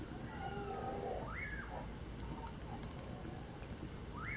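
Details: Common pauraque (bacurau, amanhã-eu-vou) singing in winter beside a campfire: one clear whistled note slurring up then down, a second one starting at the end, over a steady high cricket trill, crackling fire and some softer lower warbling.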